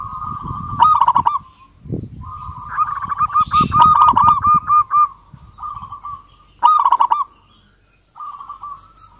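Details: Zebra dove of local stock calling out a rival: bursts of fast rolling trills and rhythmic cooing notes on a steady pitch, broken by pauses, with low rustling and thumping noises in the background.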